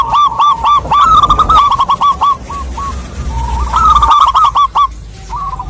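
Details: Calling to a male, a female local wild zebra dove repeats quick hooked coos about four per second, rising into loud rippling bursts twice, against a low rumble.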